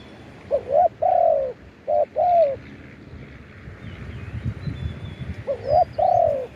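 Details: Decoy spotted dove, recorded live while calling wild birds, gives rising two-part notes and long arched coos in two bursts, with soft low rustling between phrases.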